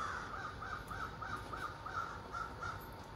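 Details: Ravens, over thirty of them, calling from street-side trees at morning; a quick train of short croaking caws, about three per second, fairly far off.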